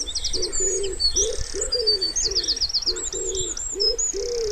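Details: Wood pigeon cooing by a pond in spring: a steady series of soft, low, hooting coos, each slightly falling, about two per second, while small songbirds trill and twitter high above.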